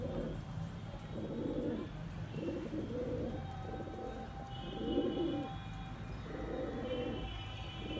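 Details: Pigeons giving low, throaty coos in a near-continuous rolling sequence, with a faint hum and some higher bird chirps behind.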